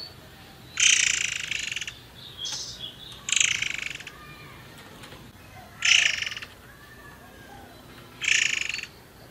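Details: Forktail sung as a lure recording to prompt other birds to sing: shrill, high chirping bursts, each about half a second long, repeated roughly every two to three seconds over a quiet background.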